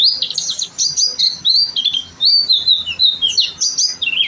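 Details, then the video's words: Gacor song of an oriental white-eye, a tutor recording: warbling high twittered phrases, wavering up and down in pitch, delivered in short bursts. "pleci gacor"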